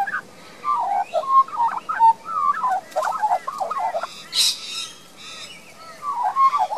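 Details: Young Australian magpie, a resident bird in a garden in Queensland, Australia, recorded with a compact camera: rich warbling song of fluting, gurgling notes in quick varied runs, a brief pause, then more warbles.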